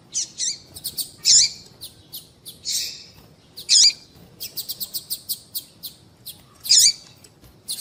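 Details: Call of a female double-collared seedeater, the tui tui call used to excite males before song tournaments: loud buzzy bursts about every two to three seconds amid rapid high chirps and ticks, background quiet.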